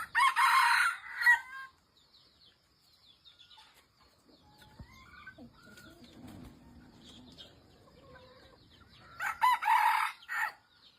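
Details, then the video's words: A red junglefowl gives two short, harsh, clipped crows about eight seconds apart, with faint chirps of small birds in the quiet between. "Kokok ayam hutan"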